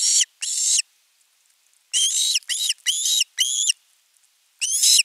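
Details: An osprey on a Finnish nest calls at length for fish before a whole fish is delivered, 10 August 2021. The calls are loud, strained, harmonic screeches. Two open the clip, four more come close together, and a final one ends it.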